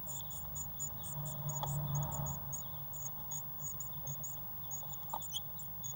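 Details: High, thin cheeping from Eurasian blue tit chicks in a nest box on 1 June 2016, as they grow fast on waxworms, comes about four notes a second, with a soft thump and low hum behind.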